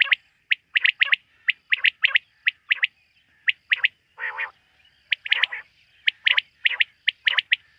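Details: Quail heard at night giving a rapid run of short, sharp chipping notes in clusters, almost continuous, broken once by a brief harsh grating burst, over a faint steady background hum.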